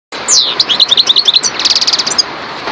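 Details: European goldfinch of the subspecies parva singing: a downslurred whistled opening, then a run of quick high twittering notes, ending in a fast buzzy rattling trill, in under three seconds.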